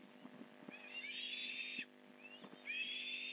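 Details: Osprey at the Port Lincoln nest, fish delivery on the morning of 15 November 2019: two harsh, high whistled bursts with rising notes, a short thin upslur between, and light tapping noises.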